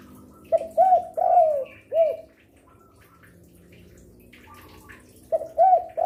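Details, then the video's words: Lure recording of a spotted dove that coos through afternoon, evening and night: one full mellow cooing phrase of short, arched and long drawn-out falling notes, followed after a quiet gap by the start of another phrase. "Derkuku gacor rajin bunyi siang sore malam cocok untuk pancingan"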